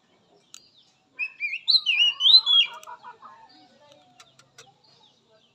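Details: Oriental magpie-robin from the wild, song used as therapy for silent captive birds: a phrase of sweet rising and falling whistles with a lower warbling trill underneath, then a scatter of soft ticks.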